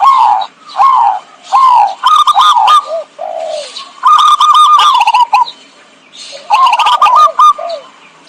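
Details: Zebra dove lure call for trapping birds: repeated runs of quick, bubbling coo notes with sharp rattling clicks, alternating with lower, slurred single coos and short pauses.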